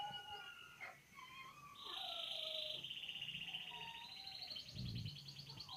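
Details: Champion canary singing in a varied style: scattered whistled notes, then a long buzzy rolling trill that rises gradually over several seconds, with a brief low thump near the end.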